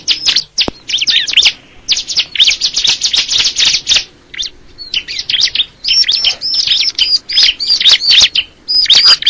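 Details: Crystal ciblek, a prinia, singing a fast, dense run of high, sharp chirps and looping whistled notes, delivered in bursts of about half a second to a second with brief pauses. No other sounds stand out.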